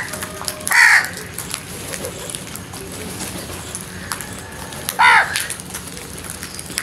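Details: Two isolated harsh crow caws, one near the start and one about four seconds later, each short and hoarse with a slight downward bend, over a steady low background hiss.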